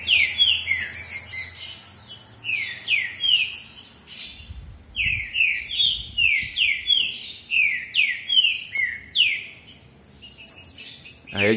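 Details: Two male green-winged saltators in a singing contest answer each other with loud, rich whistled phrases, each a sweeping downward-curving note repeated quickly; the territorial males' loud song keeps rivals away; faint low hum underneath.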